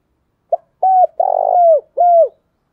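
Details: Spotted dove kept as a decoy bird for luring wild doves, cooing: a short note then three loud mellow coos, the middle one long and rough, each ending in a falling slur, in a quiet setting.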